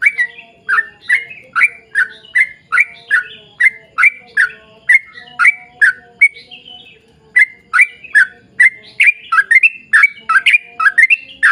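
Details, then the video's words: Sooty-headed bulbul giving vigorous long-running 'ropel panjang' song meant to lure others of its kind to sing: quick repeated bubbly, slurred notes, a brief lull midway, then faster chattering toward the end. "trucukan gacor ROPEL PANJANG buat pancingan trucukan agar bunyi"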